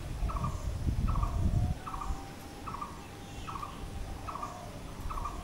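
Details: Repeated call of a Blue-throated barbet, short squarish notes coming about every 0.8 seconds; a loud low rumbling noise covers the first two seconds before fading.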